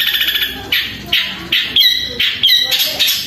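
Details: A long-tailed shrike sings loud, long, harsh, buzzy bursts about twice a second, imitating fighting sparrows, some with sharper whistled edges, after a quick run of ticking notes.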